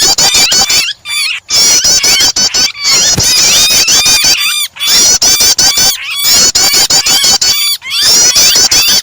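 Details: Mix of prinia starter calls and a distressed, trapped bird, meant to trigger singing in other birds: intense, high, rippling chatter of looping notes and steady ticking clicks, in bursts separated by short silent gaps.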